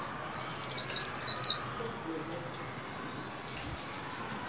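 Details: Caged white-eye being trained in song, new year 2021: one burst of five rapid high descending whistled notes, followed by faint thin notes and near silence.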